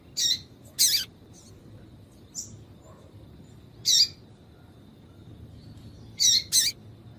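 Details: A female double-collared seedeater calls to prompt a male to sing: a series of seven or so short, bright, high chirps, several in close pairs, with scattered faint softer notes and light background hiss.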